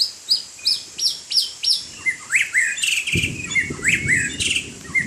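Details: White-rumped shama singing as it plays in the rain: loud sharp whistled notes and bright slurred phrases in quick succession, with a rushing splashing noise joining halfway through.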